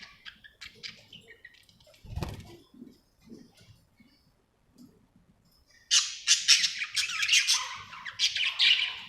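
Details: Happy budgerigar: quiet, scattered soft sounds and a low thump, then a loud stretch of fast, scratchy warbling chatter and squawks for the final three seconds.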